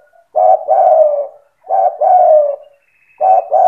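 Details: Spotted dove (tekukur) singing in the lively gacor cetretan style, meant to provoke other doves into singing. Three phrases, each a short clipped note followed by a longer, mellow, slightly descending coo, repeated about every one and a half seconds.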